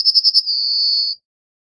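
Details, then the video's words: Close of a Yellowhammer song: four quick high pulsing notes run straight into a long, steady, thin whistled tone lasting under a second before it stops. "Yellowhammer Song! Yellowhammer Call! Yellowhammer - Escribano Cerillo Canto - Emberiza Citrinella"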